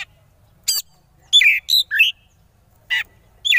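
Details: An oriental magpie-robin in its frenzied "konslet" style gives harsh, scratchy bursts mixed with brief high whistled notes, about six phrases in under four seconds. It is used as a lure sound to provoke rival birds.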